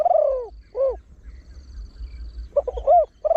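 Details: Deep-voiced trained Spotted Dove calling rapidly in the 'khan yon 1 kuk' style to attract wild birds. A mellow falling coo and a brief coo come first, then a stuttered run of short notes, a rising-falling coo and the start of another.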